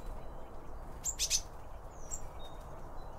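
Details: At a bird feeder, a Eurasian blue tit gives two loud, sharp, very high notes close together. One thin whistle follows, with other small birds faint in the background and a low rumble throughout.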